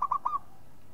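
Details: Local zebra dove, used as a lure bird, giving a short cooing phrase of three quick mellow notes, the last drawn out, low and soft over faint background hiss.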